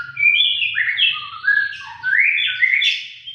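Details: Persistent, sharp-voiced white-rumped shama song: a continuous run of loud, clear whistles that step between high and lower pitches, ending in bright rising buzzy notes over a low background hum.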